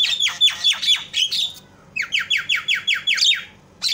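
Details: Javan myna call used to provoke other mynas to call: raspy descending sweeps repeated rapidly, then a steady train of about eight falling buzzy notes in under two seconds, low hum behind.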